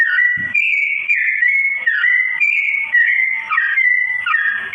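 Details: Slow-toned singing of a sooty-headed bulbul, kept as tutor audio for straw-headed bulbuls: a connected run of clear whistles, each held briefly and sliding up or down, with occasional quick lower warbles.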